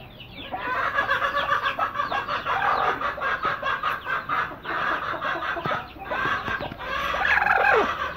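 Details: Pair of broody hens sitting side by side, producing loud, continuous rapid clucking and grumbling in pulsing bursts, rising in intensity near the end.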